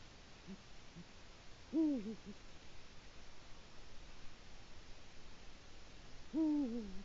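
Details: Eurasian eagle-owl calling to claim its area at the nest on a Latvian autumn evening, October 2017: two short deep hoots about four and a half seconds apart, each falling at the close, with faint low notes before the first.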